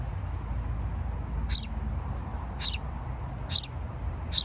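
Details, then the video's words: A House Sparrow, very common locally around sidewalks, gives four short, bright chirps about one second apart over a faint steady high whine and low background rumble. "So house sparrows are super common around where we live, and this is their sound."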